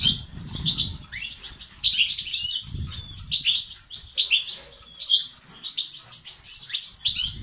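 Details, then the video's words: European goldfinch song aimed at getting males singing and active: lively high twitters, slurred whistles and short trills in quick phrases, with a faint low rumble. "أقوى بتبتة وستستات للتحفيز الدكور الحسون وتساعده في زيادة النشاط وتحفيزهم على تغريد وعلاج صمت حسون"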